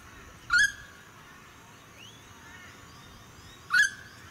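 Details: Two loud, rasping calls about three seconds apart from a noisy friarbird (Philemon corniculatus) in suburban Sunshine Coast, Queensland, May 2018. Faint whistled birdsong sounds between them over a light wind hiss.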